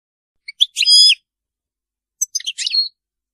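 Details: European goldfinch singing in the Maliki style, described as free of errors: two short high twittering phrases of bright, buzzy stacked notes, the first with a drawn-out ringing note, separated by silence against a clean background.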